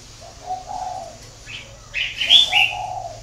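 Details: Spotted dove from a bird-breeding farm in Ba Vì, northern Vietnam, giving two low, soft hooting coos, with louder high chirps from other small birds over the second coo.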